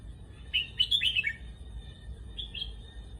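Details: Red-whiskered bulbul, in a Thai song-contest style with a varied repertoire, gives a short burst of bright, warbling, slurred notes, then two softer whistled phrases, over a steady low hum and a faint continuous high tone.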